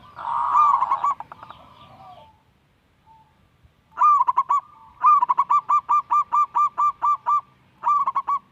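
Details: Zebra dove, a young local perkutut, singing to prompt reluctant doves and build their spirit: a blurred rolling coo, a quiet gap, then a long even row of about ten crisp staccato coos with a brief trailing burst.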